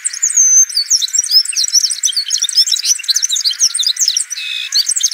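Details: Cape canary singing in Cape Town, South Africa, on 15 September 2021: a fast, continuous jumble of high twittering notes, trills and short whistles, barely pausing through the whole phrase.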